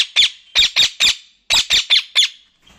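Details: Pet talking parrot giving seven rapid, harsh squawks in two quick runs, each a short rasping burst, recorded indoors.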